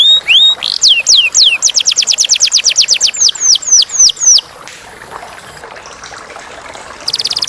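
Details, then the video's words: Canary singing clearly: rising whistles then a fast series of downward-sweeping notes, slowing toward the end, followed by near quiet and a brief high buzzy trill at the close. "Kenari / Canary / Canarium ovatum (suara jernih)"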